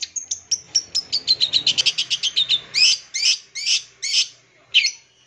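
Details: Long-tailed shrike singing full isian, a filled song meant to agitate young birds; a fast string of thin whistled chirps gives way to louder, spaced, harsh downslurred notes, over a faint low background murmur.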